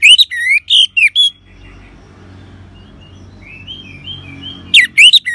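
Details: Orange-headed thrush in ngeban style, used to coax caged birds to sing: a quick run of strong whistled notes, then a hushed sequence of sliding, softly warbled phrases, then loud whistles again.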